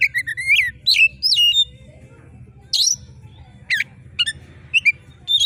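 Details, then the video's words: Oriental magpie-robin in full song, giving sharp screeching jerit calls: short bursts of high slurred whistles and harsh rasping notes, each burst split by brief pauses, over a faint low hum. "suara KACER GACOR JERIT TAJAM"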